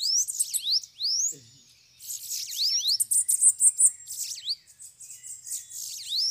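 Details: At a trapping cage, several bananaquits (sibite) sing in overlapping bursts: thin rising slurs, then a pause, then a dense spell of shrill twittering and buzzy notes.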